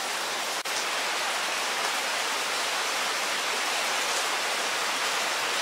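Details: Even, hissing rain-like noise fills the whole recording, with one brief click and no animal voice.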